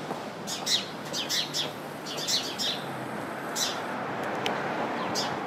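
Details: House sparrows gathered in a bush, chirping; scattered bright chirps in loose groups, softer than the surrounding steady background rumble.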